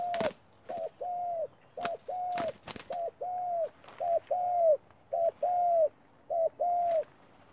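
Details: Decoy spotted dove calling rapidly from a trap: a steady run of paired coos, a short note followed by a longer arched one, repeated about once a second, with sharp clicks and knocks between phrases.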